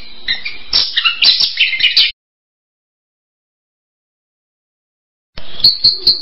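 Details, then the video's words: Orange-headed thrush giving a dense burst of rapid chirps and whistles for about two seconds, then silence, then another short chirping phrase. "SUARA ANIS KEMBANG"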